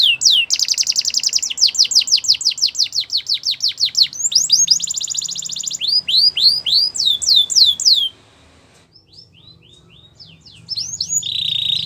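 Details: Belgian canary song meant to make other canaries sing: fast repeated rolls of high downslurred notes, a buzzy trill, then sweeping whistles, a short pause and a final rattling phrase.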